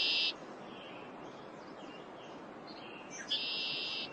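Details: Male red-winged blackbird (Agelaius phoeniceus) in spring, northeastern United States, displaying to a rival male before females return: a harsh, buzzy trill, soft chattering notes, then another long rasping trill over light outdoor noise; display song signalling territorial ownership.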